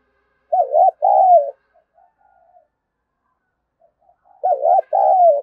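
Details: Spotted dove cooing to lure wild doves. Two phrases about four seconds apart, each a quick wavering double coo followed by a longer, slightly falling coo. Quiet murmuring in between.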